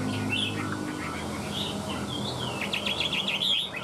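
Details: Singing caged Chinese hwamei displaying with spread tail and flicking wings: long sweeping whistles glide up and down, then give way to a quick volley of sharp chirps.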